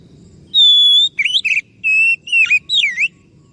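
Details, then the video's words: Oriental magpie-robin lure song: one long flat high whistle followed by a lively sequence of buzzy, dipping and rising whistled notes, each phrase short and sharply separated. "PANCINGAN BURUNG KACER DIJAMIN IKUT NYAUT"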